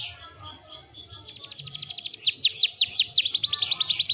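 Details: Canary in vigorous full song for a bird-training recording: a soft high warble rises into a loud, pulsing trill of downward-sweeping notes repeated steadily, almost three times per second.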